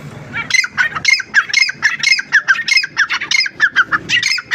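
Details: Grey francolin calling: a fast series of harsh, squawking notes repeated about every quarter second, each with a rising and falling shape, loud and steady through the whole stretch with little background.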